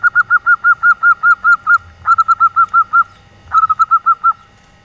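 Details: Loud, close female zebra dove of local stock giving the nyelir call used to lure silent males: three rapid runs of clipped, even-pitched notes, about ten, six and five notes, separated by brief pauses.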